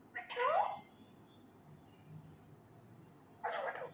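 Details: Male Indian ringneck parakeet practising words produces a quick, voice-like phrase with a rising tone, followed by silence and then a short, breathy burst.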